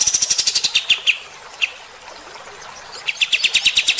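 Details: Bulbul in harsh 'tembakan' shooting style, meant to rile fighter-type birds: quick bright chips, a few slurred notes, a quiet pause, then another fast run of sharp repeated notes.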